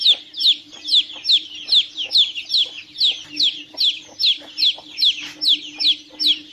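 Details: Chicks peeping steadily: a rapid series of high, shrill, downward-slurred peeps, about two or three per second, with a faint steady low hum underneath.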